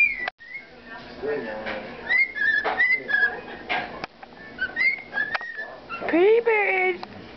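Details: Pet bird singing to a baby, which grows a little tired of it: clear whistled notes near the same pitch repeated in short phrases, then a rising, wavering cry with a lower harmonic stack near the end.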